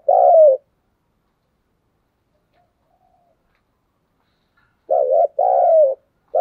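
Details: Decoy spotted dove cooing in the 'thúc gù' driving style. A single low husky coo opens, a few silent seconds follow, then a two-note phrase: a clipped note and a longer descending coo.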